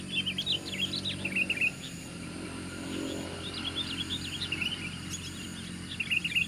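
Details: Sooty-headed bulbul in fighting mode, taking on four opponents with a loud voice: rapid strings of high, wavering chirps and short warbles, repeated in three bursts, over low background noise.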